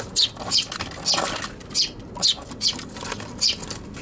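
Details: Eurasian tree sparrows battling at a box on a balcony, Tanabata 2021, recorded on an RX100M5A; loud clipped high chirps in quick succession mixed with fluttering and scuffling.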